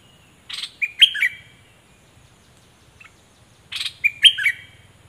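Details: Decoy Cream-vented bulbul song: two loud bursts of liquid, bubbly warbled notes about three seconds apart, with near silence between them and only a faint low hum beneath.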